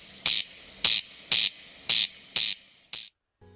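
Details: Corn crake (Crex crex) on Hebridean machair, Outer Hebrides, Scotland, heard day and night: six dry, rasping crex notes, evenly spaced about twice a second like a comb drawn over a card, over a faint low hum.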